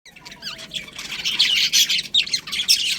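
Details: Budgerigars chirping in a colony: a dense chorus of rapid squawky chirps and warbled notes, building from a few scattered calls into continuous overlapping chatter.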